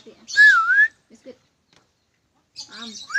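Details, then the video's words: Smart lorikeet whistling: one clear tone that dips and rises again over half a second, followed by silence, brief soft noises and a burst of faint chatter with a short rising note at the end. "nuri perkici pintar bersiul"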